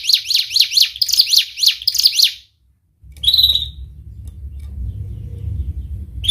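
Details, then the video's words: Canary song as a lure for young canaries learning to sing: quick repeated sharp 'wit' notes for about two seconds, a pause, one whistled note, then low background rumble. "Kenari Gacor speed Rapat WIT Wit Tajam Cuit cuit ngeroL, pancingan kenari PAUD BELAJAR BUNYI"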